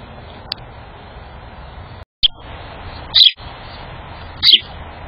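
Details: Chipping sparrow in a backyard: short, sharp, high chip notes, four of them spaced irregularly over five seconds, each a brief bright burst above a steady low background hum.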